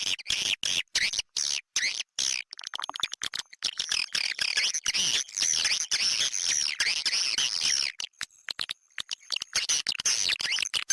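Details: Swiftlet lure call used to attract the birds, with long passages of high, rasping twitters chopped into rapid pulses, at times nearly continuous, about two to three bursts per second.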